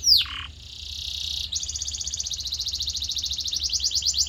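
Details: Canary training song to shape a canary's voice: a brief chirp and a low burst, a sustained high buzzy tone, then a long rapid pulsed trill that speeds up slightly toward the end.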